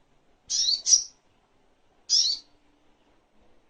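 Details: Spiderhunter (sogok ontong), recorded as a master track for tutoring songbirds. A sharp, high double note is followed about a second later by a single similar note, with silence between.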